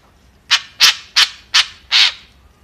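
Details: Five harsh, scratchy notes spaced about a third of a second apart, the last slightly longer, from a kekep, the white-breasted woodswallow.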